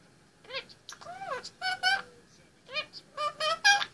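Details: A male Indian ringneck parakeet, 18 months old, chatters while perched on his play stand indoors: bursts of nasal, wavering speech-like syllables, some sliding downward, in two groups separated by a short quiet gap.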